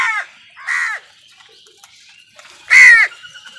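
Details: Crows calling while wild birds fight with them for food: three harsh, hoarse caws, each about a third of a second, separated by short quiet gaps, the last one loudest.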